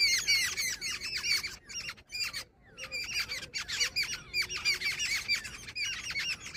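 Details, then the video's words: Female jungle babbler giving harsh, squeaky chattering calls in rapid bursts of nasal notes, with a brief pause midway before the chatter resumes steadily; no other clear sounds. "Jungle babbler sound effect | babbler bird Sound Grey | female babbler ki video"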